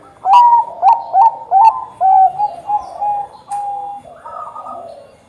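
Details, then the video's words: Zebra dove of the Bangkok strain, a keen singer, heard as a lure for others: four loud short rising coos in quick succession, then longer level mellow notes fading into softer overlapping cooing. "perkutut bangkok gacor"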